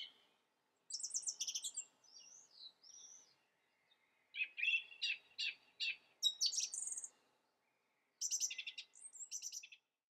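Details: Song thrush giving a string of distinct phrases: high scratchy notes, soft whistles, then a series of five or six repeated sharp notes, followed by more high rapid phrases after short silences.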